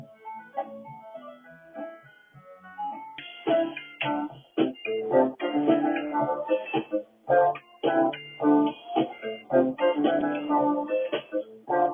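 Keyboard or organ music with sustained chords and a steady beat. No animal voice stands out.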